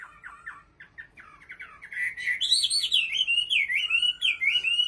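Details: Soft, chattering notes from a caged Chinese hwamei in Bình Định build into loud, wavering, warbled whistles that rise and fall in quick succession.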